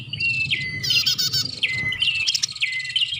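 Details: Brief Bar-winged prinia (prenjak) lure call used for attracting birds; rapid buzzy chatter with a fast rattled burst and clear downward-slurred notes.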